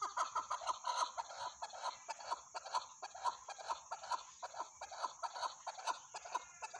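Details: Repeated husky chuck notes from a chukar partridge, about two a second, forming a steady rhythmic clucking run, with a constant thin high whine underneath.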